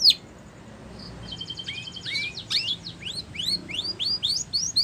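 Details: Spanish Timbrado canary song for training canaries, quieter and further off: a short pulsed trill, then a run of repeated rising-and-falling slurred whistles speeding up toward the end, with a background hiss.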